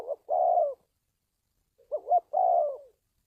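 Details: Spotted dove calls played to train decoy birds and lure wild doves for trapping; two phrases, each a short hooting note followed by a longer, slightly falling coo, separated by about a second of silence, with no other sounds.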